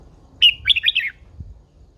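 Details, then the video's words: Red-whiskered bulbul, an old wild-caught female urging a male to sing: a single fast phrase of clear, slurred whistles that starts high and tumbles downward in quick steps, over a soft low hum. "Chào mào MÁI GIÀ RỪNG || Chào mào MÁI THÚC TRỐNG căng lửa."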